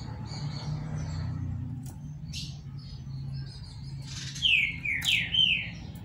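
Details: Legally kept Green-winged Saltator (trinca-ferro, Paraná) gives quiet scattered notes and clicks, then a short phrase of bright, swooping whistles at the end. A low steady hum sits in the background.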